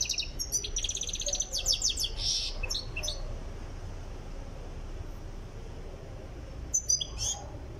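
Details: European goldfinch from Tiaret, being brought toward singing readiness, gives three seconds of rapid twitters and buzzy trills. Near-silence with low hum follows, then a short final chirp.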